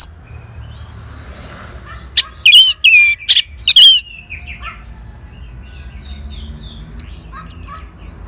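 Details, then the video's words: Orange-headed thrush responding to a played lure: after a quiet start, a loud cluster of rich warbled and whistled notes, silence, then a shorter burst of high rising and falling whistles. "Sangarnya Respon ANIS MERAH Langsung Nyaut Dengar Pancingan Suara Burung Ini"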